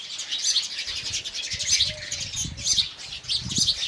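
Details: Indian house sparrows in the morning: dense, overlapping high chirps and tweets from several birds run throughout, with a faint low slurred note midway and a soft low rumble underneath.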